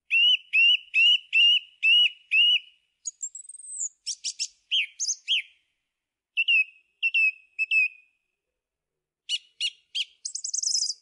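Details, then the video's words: Singing song thrush repeats one clear whistled note six times in a row, then moves through a high thin slur, clipped notes, triplets and a closing burst of buzzy high chatter. "Song Thrush Singing"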